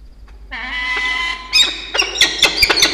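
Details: Peregrine falcons in a nest box in Orange, NSW, Australia, on 27 February 2022, as the male wakes the female for bonding, give a drawn-out, nasal wail lasting about a second, then sharp, harsh chipping calls at about three per second.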